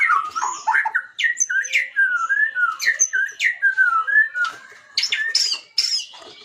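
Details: White-rumped shama song played to stir other birds' emotions so they sing too: a rich, continuous run of whistled, sliding notes and quick warbles, ending in higher chattering phrases.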